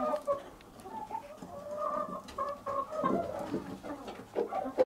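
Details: Domestic hens around egg laying: a steady stream of low, nasal clucks and short cackling notes from several birds, overlapping and irregular, with faint background rustling.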